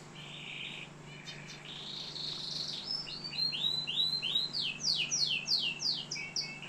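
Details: Canary in Algeria singing: buzzy rolled trills leading into fast rising-falling chirps and a run of sharp descending swept notes, repeated rapidly.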